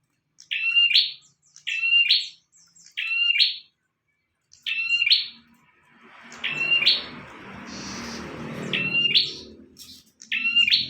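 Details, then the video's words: Vigorous bar-winged prinia song for use as a master: crisp, high repeated phrases in quick series with short pauses, and a broad rushing noise in the middle section. "Burung prenjak tamu / prenjak omah gacor"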